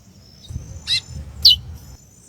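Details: Female chestnut-bellied seed-finch calling to stimulate the male: two quick harsh chips half a second apart, the second brighter and falling in pitch, over low rumbling background noise.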